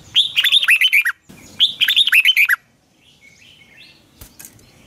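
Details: Morning song of a Red-whiskered bulbul used to train other birds: two matching phrases of quick, slurred whistles, each about a second long with a brief pause between, followed by faint distant chirps and a sharp click.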